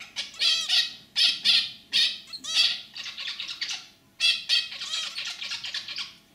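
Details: Zebra finch giving nasal, buzzy bursts with squeaky harmonic notes in half-second phrases with brief pauses; the male sings a lively guttural song, while the white female only gives simple chirps.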